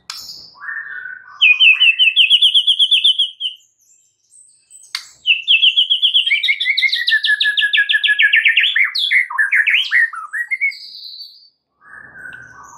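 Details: White-rumped shama in morning song, delivering fast, rhythmic trills of quivering whistled notes lasting several seconds each, then a jumble of rising and falling chirps before a quiet pause.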